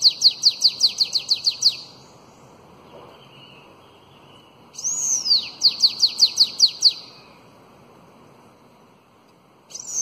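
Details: Bananaquit singing the 'belga alongado' song style, used to tutor young bananaquits: two phrases of high, thin, rapidly repeated downslurred notes, the second opening with a long arched whistle. Silence lies between phrases and a faint low hum runs underneath.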